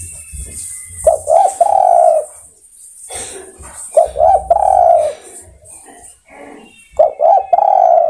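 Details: Spotted dove calling to other birds, repeating its phrase three times roughly every three seconds. Each phrase has two short coos and then a long drawn-out coo, with faint thin bird chirps in the quiet gaps.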